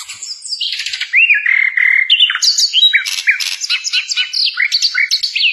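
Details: Continuous loud singing of a sikatan londo, a flycatcher used as a master for cage songbirds: sweeping whistles, buzzy rasping notes and a fast jumble of high chirps.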